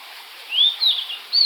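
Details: Short blue-and-white flycatcher phrase: a long rising then falling whistle, a downslurred note and a final high clear whistle after a moment of quiet.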